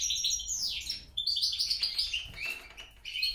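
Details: Hybrid of European goldfinch and grey-crowned goldfinch, a mule: quick, bright twittering song of high tinkling notes and short buzzy trills. One early phrase sweeps downward, and brief pauses separate the bursts. No other sounds stand out.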